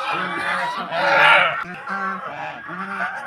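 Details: Domestic geese from Netrokona, now at a house in Tangail, Bangladesh, sound off at unfamiliar visitors during egg-laying time. Quieter, clipped nasal honks repeat in short series, with one louder harsh burst near the middle.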